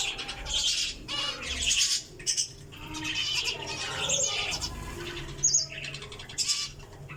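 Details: Java sparrow calling in bursts of rapid, high twittering and chattering chirps, with brief pauses between clusters, a sharp squeaky note near the middle and a soft low rumble underneath.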